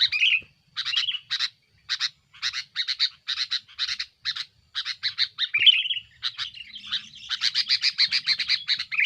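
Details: Sooty-headed bulbul, noisy and active, singing aggressively to pressure rivals, used as a lure: spaced harsh chattering notes, a couple of short whistled phrases, then a dense rapid chatter at the end.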